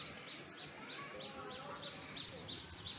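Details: Indian robin singing in a home garden: short, high chirping notes about three times a second, over a steady hiss of background noise.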